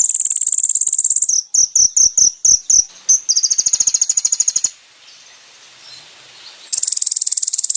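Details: Brown-throated sunbird song for training caged birds: a steady high buzzing trill gives way to six loud, evenly spaced sharp chips, a fast rattling trill, a quiet pause, then the buzzing trill returns.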